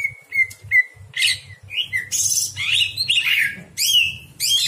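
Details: Greater green leafbird at night, recorded for training other birds: soft level whistles followed by loud harsh buzzy and chattering phrases mixed with bright rising notes, over a faint low hum.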